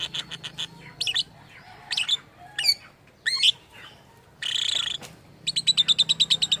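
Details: Lovebird making strange sounds, described as imitating a human voice: quick runs of sharp chirps, swooping squawky notes and a buzzy harsh burst, ending in a fast even series of about a dozen ticking notes.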